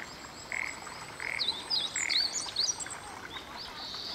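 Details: Meadow bunting singing from a cherry tree just starting to bear cherries at a Tōshō-gū shrine on a Sunday; a short burst of quick, varied high chirped notes in the middle, with lower steady tonal blips and faint background hiss.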